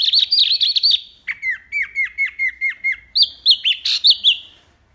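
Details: Loud, clear wambi mini song used as a tutor for cage birds: a rapid high warbled series, then a steady row of falling whistled slurs, then louder sweeping whistles.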